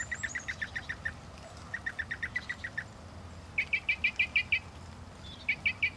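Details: A Northern mockingbird sings crisp, clipped notes delivered in rapid runs of six to eight identical chips, pausing briefly between runs and shifting pitch and quality with each new series, against a soft hiss of background noise.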